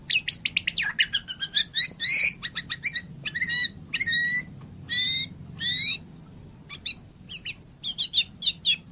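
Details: Long, varied run of white-rumped shama song: dense chattering notes, raspy bursts, and slurred whistles separated by short pauses, ending with clipped high notes.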